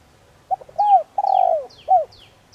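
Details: Spotted dove cooing softly to draw in wild birds during decoy training in Vietnam: brief stuttered notes, an arched coo, a long rolling coo, then a short closing coo, with faint high descending chirps of another bird behind.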